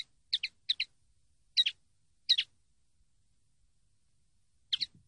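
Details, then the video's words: Common linnet from a training CD of its song: short, sharp double chirps, high and clipped, given in scattered bursts with long silent gaps between them, clean background. "CD CANTE DE PARDILLO 123"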